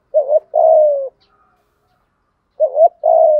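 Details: Decoy spotted dove giving 'thúc gù' lure cooing, 'thổ' voice. Two low phrases about two and a half seconds apart. Each has a rising wavering double note and then a steady, falling, throaty coo.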